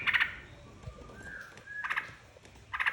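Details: Yellow-vented bulbul song played as a lure to make other birds sing along: short bubbly note clusters at the start, middle and end, separated by a thin, faint sliding whistle.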